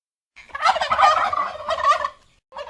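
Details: Turkey gobbling: a rapid, warbling gobble of about 1.7 seconds, then a brief new burst starting near the end; no other sounds.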